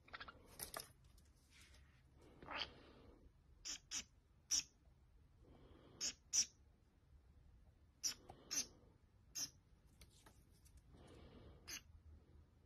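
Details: Pet White-bellied caique brothers, 15 April 2022, give short, sharp, shrill squawks in irregular bursts a few seconds apart, with some softer scratchy rustling between them.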